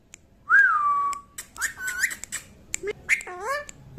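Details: Green pet parrot at play, giving a clear whistled note that rises then falls, followed by squeaky chatter, clicks and wavering, bending whistles.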